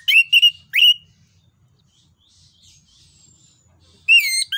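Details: Loud song of an orange-headed thrush, called anis kembang, used as a lure for other birds: three quick whistled notes, a quiet gap with faint distant chirps, then a rapid warbling phrase.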